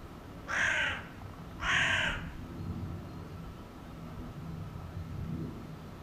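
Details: Hooded crow uttering two loud, hoarse caws about a second apart, then only low background rumble.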